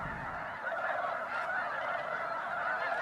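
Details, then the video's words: A big flock of snow geese calling at Bosque del Apache NWR, December 2009, at sunset or sunrise. Countless nasal honks blend into an unbroken, even roar of goose voices. "Snow Geese Sunset and Sunrise"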